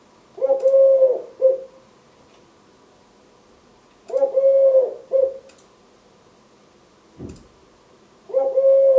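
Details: Male Eurasian collared dove, three years old, wing-tapping while singing his "please lay eggs" song to his mate: three low, hollow cooing phrases about four seconds apart, each a long held note and a short final coo, with sharp taps between.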